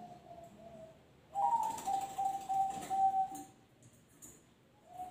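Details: Captive zebra dove delivering its noklak nekung song: soft notes, then a loud phrase of a lifted opener and five or six quick, level cooing pulses, with clicking and rattling noises nearby.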